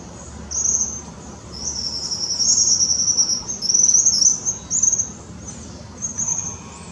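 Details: Young Tropical kingbird calling in Parque da Chacrinha, Rio de Janeiro, February 2019: a run of very high, thin twittering chatter in short bursts that swell and fade over several seconds, above a steady low background hum.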